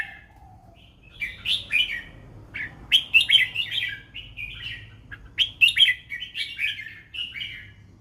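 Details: Red-whiskered bulbul singing a fancy lead-style song, bright, bubbly whistled phrases with quick warbled notes in bursts separated by short pauses, quiet background.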